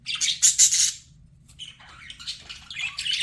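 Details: Budgerigar, a pet bird, lets out a loud rapid volley of rasping chirps for one second, falls silent, then resumes with quieter, rambling warbled chatter.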